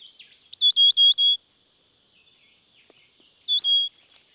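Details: Spotted pardalote, one of a nesting pair raising a summer brood in the Capertee Valley: three clear, level whistled notes, a pause, then a two-note phrase, over a steady high-pitched hiss.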